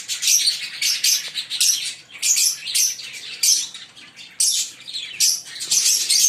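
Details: Fischer's lovebirds, a green pair, chirping in regular bursts of sharp, high squeaky notes, each burst lasting under a second and repeated throughout with short gaps.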